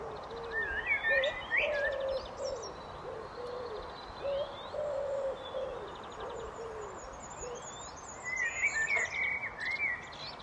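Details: Common blackbird song of warbled, whistled phrases and thin high flourishes, mixed with a persistent low hooting coo repeated many times.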